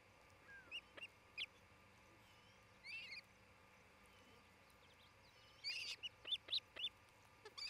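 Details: {'caption': 'Nest-cam recording of an osprey pair in Charlo, Montana, on 27 June 2018 near midday; sparse thin chirps at first, then a closing cluster of sharp, high whistled notes over light background hiss.'}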